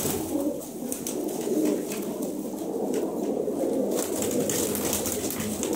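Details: A flock of pigeons held for sale, described as well-bred birds that have flown, gives a steady, thick wash of overlapping low coos, broken by occasional flutters of wings.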